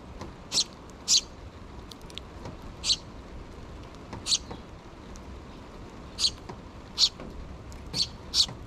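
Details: High, thin chirps from sparrow chicks still begging for food in the nest, two young with their mother, June 2023; calls come irregularly with gaps of up to two seconds over a quiet hiss.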